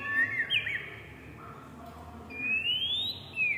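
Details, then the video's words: A tame Oriental magpie-robin gives a few clear whistles, including a quick sweep and a long rising whistle followed by a falling note, over faint background hiss. "suara burung murai jinak"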